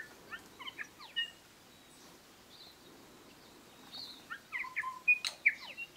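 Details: Bellbird (korimako) heard in native New Zealand scrub near Greymouth, 8 April 2023: a quick cluster of clear, bell-like notes, a near-silent gap of about three seconds, then a second burst of ringing, downslurred notes toward the end.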